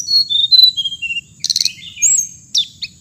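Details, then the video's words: A hồng hạnh bird gives a descending series of thin whistled notes, then a buzzy rattling burst and a few sharp chirps, with a constant faint high hum behind. "suab noog txiv leev lau2 tiếng chim hồng hạnh"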